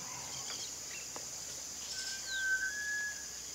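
A Sunbittern gives one long, thin, level whistle lasting over a second, slightly rising at the end, over a steady high buzz of insects.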